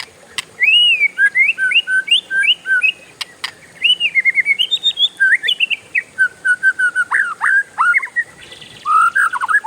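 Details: Kacer, the oriental magpie-robin, in a sustained rolling song: fast strings of whistled notes and quick chatters in long bursts, broken by brief pauses, ending in lower slurred whistles.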